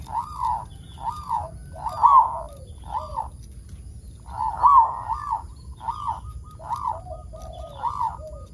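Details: Local zebra dove in vigorous song, used as a lure to make other zebra doves sing. A long run of soft, arched, mellow cooing notes comes in uneven clusters, with a faint high whine in the background.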